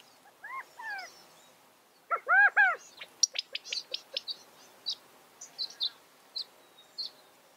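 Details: California quail: two short arched notes, then a louder run of three quick arched notes, followed by a scatter of sharp high chips and clicks from other small birds.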